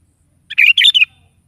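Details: A sooty-headed bulbul in energetic morning song, used as a lure for a pet bird to sing back: one short, bubbling three-part phrase, rich and slurred, then quiet.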